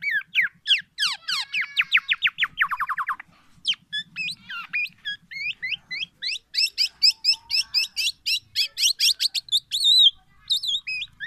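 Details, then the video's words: A Black-naped Oriole sings a fast, varied medley of clear whistles, rapid rattling trills and repeated sharp notes, borrowing phrases of the White-rumped Shama; a faint low hum underneath. "KEPODANG EMAS,black naped oriole , FULL ISIAN MURAI BATU"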